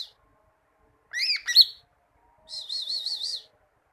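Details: Greater green leafbird song meant for training kept birds to sing: a quick rising-and-falling whistled flourish, a brief pause, then a wavering high trilled phrase lasting about a second.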